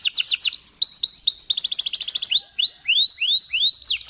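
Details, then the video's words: Waterslager canary singing its long rolling song: rapid descending whistles, a fast ringing trill, then rising upslurred whistles repeated at a quick steady pace. "kenari Gacor Ngerol Panjang Cengkok waterslanger"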